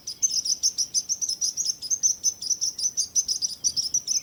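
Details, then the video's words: Bird song made of rapid, evenly spaced high tweets, about four to five per second, crisp and loud against a quiet background. "Relaxing Birds Chirping Sounds | Relax With Singing Birds Sounds"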